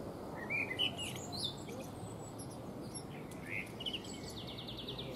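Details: Eurasian blackbird singing while preening in a fruit tree: short warbled and whistled phrases in the mid-high range, separated by brief pauses, with a steady hum of background noise.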